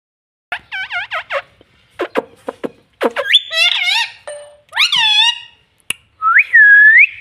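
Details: [1, 'likely', 'talking', 'Pet parrot talking, producing a series of short nasal, wavering syllables, then a run of sharp clicks, then longer bending squawk-like words, ending in a clear rising-and-falling whistled note.']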